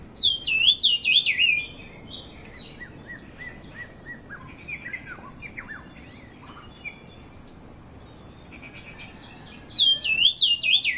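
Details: Brown-cheeked fulvetta at Dongarmatha, Parshuram, Maharashtra, in June, gives a clear, high, wavering whistled phrase that rises and falls, heard at the start and again about ten seconds later, with soft chirps from other birds between.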